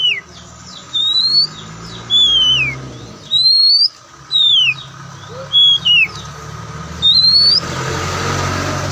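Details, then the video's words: Oriental magpie-robin, white-breasted Kacer Poci form, singing slowly: single clean whistled slurs, some rising and some falling, spaced about a second apart, over a steady background hiss that grows louder at the end. "Kicauan Santai Kacer"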